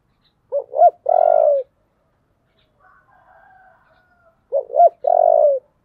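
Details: Spotted dove, giọng thổ voice, urged into a heated fight. A strong phrase of two clipped notes and a long falling coo sounds twice, with a faint murmuring coo in the quiet gap between.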